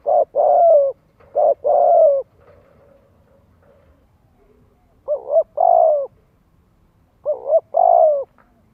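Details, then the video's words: Lure cooing of a spotted dove for training young birds to coo: three phrases, each a wavering double note followed by a long falling coo, separated by quiet low murmuring. "Tiếng chim cu gáy Kích Mồi | Kích chim non tập gáy luyện giọng hiệu quả."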